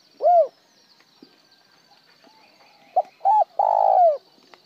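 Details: A spotted dove's arched single coo, a silent gap, then a full phrase of clipped note, hummed note and long buzzy falling coo. The recording includes calls in the styles 'một hậu lỡ', 'một hậu' and plain 'trơn'.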